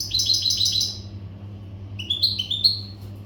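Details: European goldfinch from the Maghreb, untutored, singing in breeding-readiness condition: rapid tinkling high notes in a dense burst, a pause, then a descending series of bright twittering phrases, with steady low electrical hum beneath.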